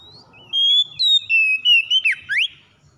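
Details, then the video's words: Oriental magpie-robin singing as a lure for a reluctant bird: a short high note, then long level whistles and quick notes ending in sharp down-and-up swoops. Faint low rumbling runs underneath. "KACER SUSAH MALAS BUNYI TERPANCING CEPAT GACOR"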